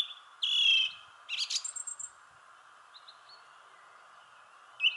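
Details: Thrush in a shrubbery tree singing short phrases: a loud whistled note, a buzzy burst and brief chirps separated by quiet gaps, with a constant low hum behind.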